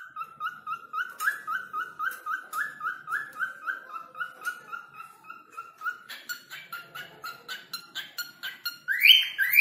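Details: Cockatiel whistling to call a person's name: repeated short upward-slurred whistles about twice a second, gaining overtones midway, then a sudden louder, harsher burst at the end.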